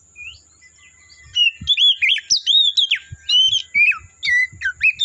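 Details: Forest Oriental magpie-robin song: after a soft opening note, a long sequence of clear whistled phrases, each sliding up or down, repeated rapidly with brief gaps, accompanied by faint low clicks.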